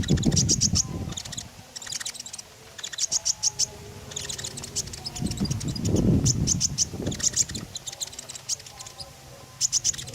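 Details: Common iora song used as a lure to draw other birds: quick bursts of very high, dry chirps repeated in clusters, with low rumbling background noise and a faint droning hum between bursts.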